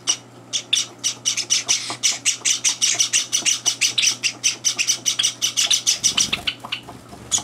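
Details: Java sparrow chicks indoors plead for food at breakfast while older birds intrude; rapid, strident squawks repeat in a steady chatter, with a soft bump near the end.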